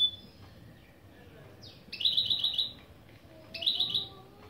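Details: Opening phrases sung by a goldfinch and canary mule: a falling slurred note, then two short, rapid, buzzy trills about one and a half seconds apart.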